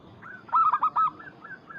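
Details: Brief phrase from a local Zebra dove calling out to a rival: a tight burst of three or four loud, husky coos, then two softer trailing notes.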